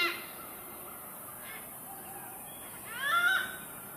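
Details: A Malabar grey hornbill, apparently calling its mate, gives a faint opening note, then a long quiet, then a short burst of loud, harsh, cackling, squealing notes.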